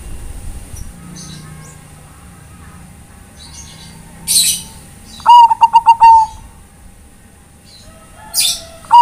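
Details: Tutor recording of a Bangkok-type zebra dove calling companions; one full cooing phrase of rapid pulsed notes ending in a held mellow tone, a second phrase starting at the end, with short hissy bursts.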